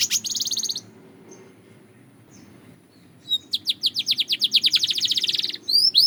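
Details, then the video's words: A Belgian canary sings a brief buzzy trill, falls silent for about two seconds, then launches into an accelerating series of falling chirps and ends with upslurred whistles. "The Melody That Turns Any Canary Into a Singing Star!"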